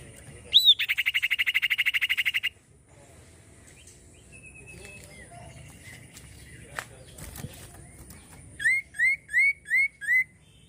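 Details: Common iora song opening with a sharp rising whistle and a long buzzy trill lasting about two seconds, a quiet stretch with faint clicks, then five rising whistled notes at even spacing.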